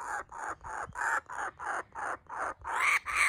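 A young laughing kookaburra gives a rapid series of harsh, rasping chuckles, about three a second, growing louder and wilder toward the end.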